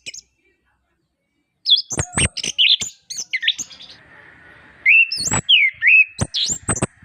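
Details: Song of an orange-headed thrush, known as anis kembang, used to rouse birds that rarely sing: silence, then rapid varied whistles, chips and slurred notes in two energetic bursts.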